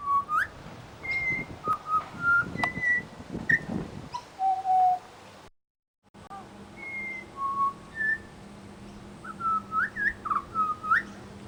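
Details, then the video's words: Pied butcherbird copying other birds' calls at a bird sanctuary: a long run of clear, pure whistled phrases at varied pitches, some upslurred, with brief pauses, a short silent gap midway, and low rumbling noise early on. "Amazing mimicry by Pied Butcherbird"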